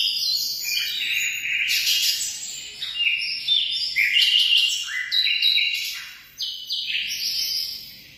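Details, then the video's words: A busy stretch of munia (emprit) song made of thin, high, chattering notes. Short phrases step up and down in pitch with small gaps, and the song grows fainter toward the end. "suara burung emprit"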